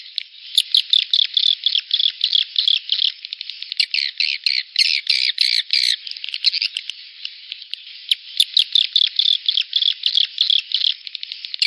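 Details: Rainy-season mating lure call of edible-nest swiftlets: rapid series of sharp high chirps in bursts of several notes, pausing briefly around the middle, then resuming the steady twittering.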